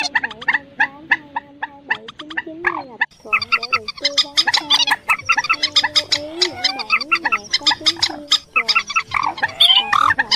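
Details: Rails and crakes in a dense, overlapping chorus of nasal, bending harmonic notes mixed with rapid sharp clicks and squeaks, repeated almost without pause; a lure recording used for night netting of migrating birds, August 2023.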